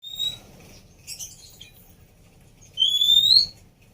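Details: Female Oriental magpie-robin, kept as a caged bird, whistling to stimulate a bird that has stopped singing: a short high whistle, a soft chattering burst, then a long clear rising whistle with overtones.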